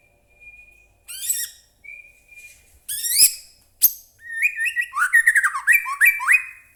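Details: White-rumped shama (murai batu) singing energetically, used as a lure to provoke other shamas into song: a thin steady whistle, then bursts of harsh, scratchy broadband notes, and finally a fast run of varied, slurred whistles.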